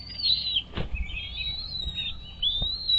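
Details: Nest-camera recording from 17 April 2023, 07:24, of an American bald eagle at Dale Hollow Lake reservoir, Kentucky-Tennessee. A long, high, wavering whistle carries on almost without a break, with a few soft knocks and bumps beneath it.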